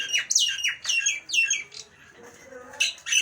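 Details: Nias hill myna giving loud, harsh squawking notes that sweep downward in quick bursts, with short pauses between groups and a brief quieter stretch in the middle.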